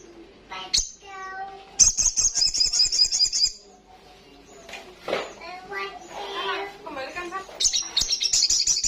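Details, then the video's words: Olive-backed sunbird singing a high, rapid, buzzy trill, with scattered chirps and other noises between phrases and a second trill near the end. "Sogon gacor Ngalas kencang"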